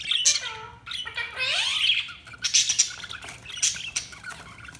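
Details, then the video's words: Budgerigar chirping with clear descending and rising whistled slurs, followed by sharp, scratchy squawks and high tweets. "Budgies Chirping sound"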